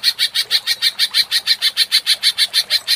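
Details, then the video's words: Rapid, regular 'ngentrok' chatter of a provoked greater green leafbird (cucak ijo): clear, piercing high notes pulsing about six times per second, loud and unbroken. "Pancingan Cucak Ijo menjadi emosi & gacor ngentrok"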